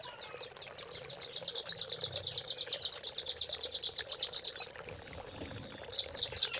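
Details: Velvet-fronted nuthatch master song for training caged birds, in the 'cililin' filling style. A fast, high trill of clipped notes runs for over four seconds, pauses in near silence, then resumes briefly.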